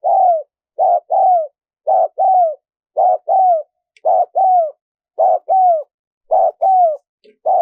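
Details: Spotted dove cooing, played to stir decoy birds when luring wild doves: mellow two-part coos, a short note then a longer falling one, repeated steadily about once a second in otherwise silent surroundings.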